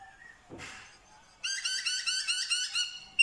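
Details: Black-throated laughingthrush from Vietnam, said to mimic dogs, cats and chickens; after a brief rustle, a fast chattering run of bright harmonic notes repeats more than twice a second, ending in a sharp high note.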